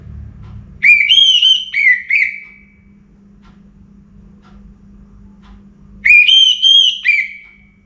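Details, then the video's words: Before morning, a kept Orange-headed thrush in northern Bali delivers two matching bursts of rich whistled notes, each a short cluster of rising-falling slurs ending in a drawn-out tail, with quiet humming between. "ANIS MERAH Gacor Bunyi Menjelang Pagi"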